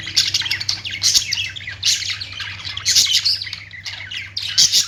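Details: Budgies chatter in loud bursts of harsh squeaky chirps roughly once a second, separated by softer warbling, over a faint low hum.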